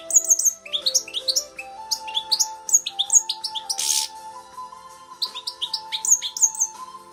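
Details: Tame pet goldfinch from the Netherlands, recorded in 2017 during song training toward British finch style from a CD. Quick bursts of bright, high chirps and tinkling notes, one harsh buzzy burst midway, over faint sustained low tones.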